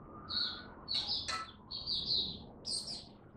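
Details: Caged Oriental white-eye kept as a hobby songbird, opening up to sing (buka) on the first day of a supplement test: short high twittering phrases with slurred warbled notes, a few sharp clicks in the middle, soft room noise beneath.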